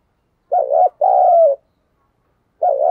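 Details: Captive decoy spotted dove delivering one clear coo phrase, a wavering short note then a sustained downslurred note, with the next phrase starting after a pause.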